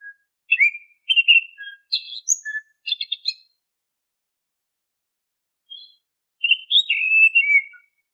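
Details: Oriental magpie-robin song used as a lure to prompt caged birds to sing: bursts of varied whistled and chirping notes with quick slurs and buzzy elements, a pause, then a falling warbled whistle phrase; no other sounds.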